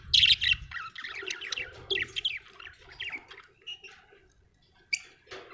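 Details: Budgie chirping in a rapid, warbling run of high, squeaky notes that tails off into sparser chirps, with a soft low rumble at the start.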